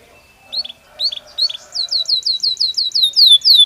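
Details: Belgian canary singing naturally: a few paired chirps with short gaps, then an accelerating run of clear downslurred whistled notes repeated several times a second.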